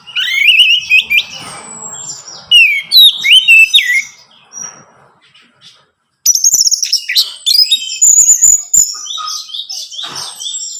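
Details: Lure song of an orange-headed thrush for a captive bird: upward-sweeping whistles and chatter, a quiet soft passage midway, then a dense burst of high twittering and thin drawn-out whistles.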